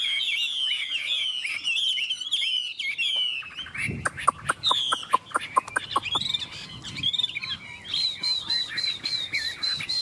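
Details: Caged Chinese hwamei from Vietnam singing bright rolling whistled phrases, broken midway by a run of sharp clicks and knocks before the rich warbling resumes.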